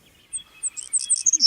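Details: Savannah sparrow buzzing call, described as an energy-efficient way to carry across open fields and savannas: a few thin, very high chips speeding into insect-like buzzy notes within about 1.5 seconds.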